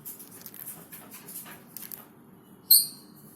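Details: A pet Fischer's lovebird snoring: soft, raspy snoring rustles for about two seconds, then one sharp, high squeak near the end.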